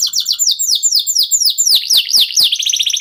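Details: Local canary song that is meant to make other birds sing: quick runs of high, sharply falling whistled notes repeated several times a second, with faint clicks in the background.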